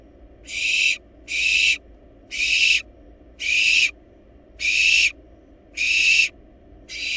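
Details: Wild barn owl nestlings in a monitored nest box, feeding on a large rabbit, give long rasping hissing screeches, about seven in a steady series roughly every second, over a faint low hum.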